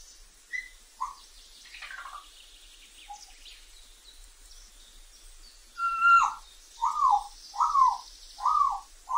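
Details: A wild African grey parrot (Psittacus erithacus) gives loud whistled calls that bend down in pitch, five in quick succession near the end, after a few scattered squawks and chirps.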